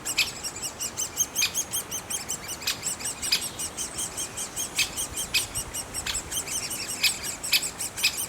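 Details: Young great spotted woodpeckers calling from the nest: thin, high, squeaking notes repeated quickly and unevenly, with louder pulses and scattered clicking knocks.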